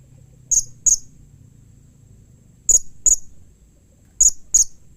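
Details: Blue-crowned hanging parrot calls meant to prompt other hanging parrots to answer: three pairs of very high, sharp, short squeaky notes, each pair closely spaced, separated by pauses over a low background hum.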